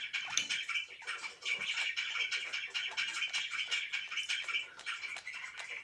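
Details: Pet budgerigar warbling indoors: a continuous stream of harsh, chattering notes and squeaks, rapidly repeated with little pause, sounding almost like muttered speech in a small room.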